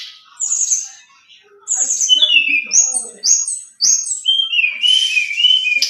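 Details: Brown-chested jungle flycatcher in full, clear, flute-like song: high pure whistles, some held and some falling, delivered in bursts about every second, mixed with short rapid chips and a final run of descending whistled slurs.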